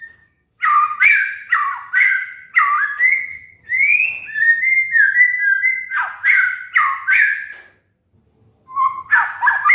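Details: Training master song of the white-rumped shama for moulting cage birds: a long run of rapid, varied, slurred whistles and warbles, a short pause, then more quick whistled phrases.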